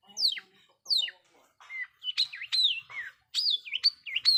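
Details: Long-tailed shrike lure song meant to provoke other shrikes: steep descending whistled sweeps, then a run of quick wavering whistles that dip and rise, delivered in short bursts.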